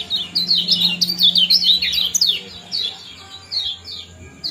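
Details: Common iora, a 'ciak' and 'jos' combination intended to bring birds into breeding condition; a fast tumbling string of sharp high chirps for two seconds, then sparser paired notes, with a low background drone.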